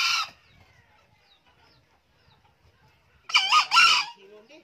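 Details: Old male green junglefowl (Gallus varius), a diligent crower, gives a brief, hoarse two-part crow, loud and harsh, after a short sharp note at the start; a fainter trailing note follows.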